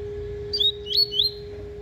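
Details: Capped seedeater singing a tui-tui song: three short whistled notes, each slurring down and sweeping across, over a steady low electrical hum.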